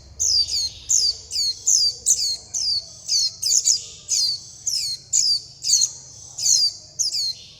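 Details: Begging white-eye young calling for its mother and flock: bright, high-pitched down-slurred chips repeated roughly every half second, some doubled, in a continuous run.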